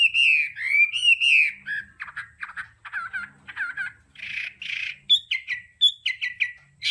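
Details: Hwamei in the 'đảo âm' singing style, recorded for voice training: slurred whistled phrases open, then quick chattering notes, followed by loud burry bursts and clear descending whistles repeated several times.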